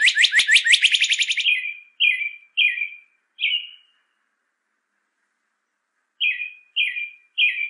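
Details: Captive-training recording of a northern cardinal: a rapid buzzy trill opens, followed by clear two-part whistled phrases, a long silent gap, then three more matching phrases in steady sequence.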